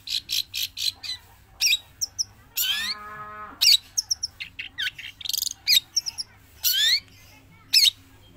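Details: A Javan long-tailed shrike, kept caged and singing non-stop both inside and outside the cage, sings a fast, rambling song of harsh scratchy notes, sharp rising whistles and buzzy sweeps, packed with short bursts and hardly a pause.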